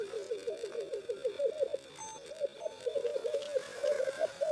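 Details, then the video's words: Lekking black grouse males courting and fighting for females in the arena: a dense, unbroken chorus of low warbling bubbling coos, pulsing quickly and rising and falling in loudness. "corteggiamenti accoppiamento dei galli forcelli in arena"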